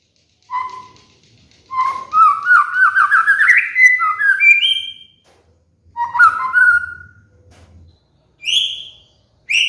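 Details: Caged white-rumped shama master song used to lure and train moulting birds: a rapid warbled run of rising notes, then short slurred phrases and a high whistle near the end. Separated by brief silences.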